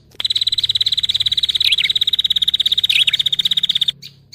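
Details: Prinia call played as a lure for trapping birds: one long, steady, fast trill of high, even notes lasting nearly four seconds, with two brief dipping flourishes near the middle, then silence.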